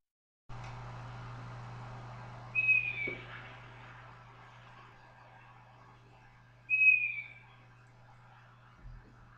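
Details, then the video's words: An owl gives two short, high whistled notes about four seconds apart, each slightly falling, over a steady low electrical hum. "Owl sound"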